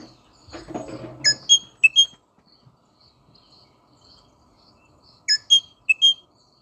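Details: Rosella whistling clear, bell-like paired notes in two short bursts separated by a pause, with a brief rustling noise before the first burst.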